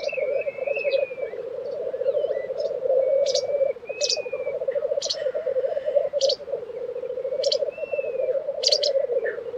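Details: Black grouse bubbling continuously at their April 2023 lek in Tiveden, Sweden, a low pulsing chorus, overlaid by repeated sharp high ticks and thin whistles from other birds.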